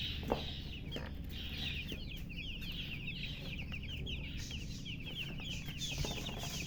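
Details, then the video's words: Just-born chicks chirping loudly: a dense, continuous chorus of short, high, downslurred peeps from many birds over a constant low droning hum. "Tot Murgi chicks chirping sounds Just Born Baby Gallina FRACAS Chicks Piar Loudly Sound"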